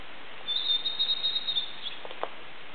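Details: In mountains on Awaji Island, an unseen blue-and-white flycatcher gives a thin, high, drawn-out whistled phrase over a second long, then a few soft clicks, over a faint hiss.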